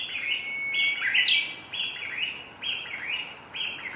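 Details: Japanese bush warbler, 6 May 2017, singing repeatedly; Panasonic DC-FZ85 recording with wind-noise protection. A sustained whistle and twisting rising flourish, then a rapid series of short, high, downward-sliding notes.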